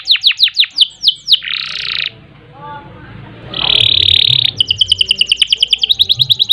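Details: Canary in long, lively song in the ngerek, ngerol and nembak styles, used as a tutor and lure recording: fast repeated descending sweeps, a harsh buzzy burst, a short pause, another buzzy stretch, then a rapid even trill of short high notes.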